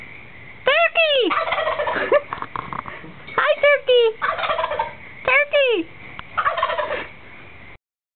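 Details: Roosting wild turkeys in woods in total darkness gobble back at sounds: three bursts of sharp, downward-sweeping rattling gobbles, each trailing into rough chattering, separated by short pauses, then silence.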